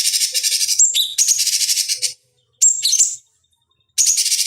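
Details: Song of the cucak cungkok (bulbul), played to train fighting birds: an opening stretch of fast rattling trill, sharp whistled slurs, then two shorter high bursts after pauses.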